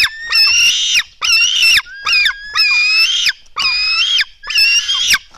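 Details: At a nest in Latvia, black stork chicks beg while being fed at 04:53 on 24 June 2016, giving six loud, flat, nasal squeals of about half a second to a second each, about one per second, some ending with a falling slur.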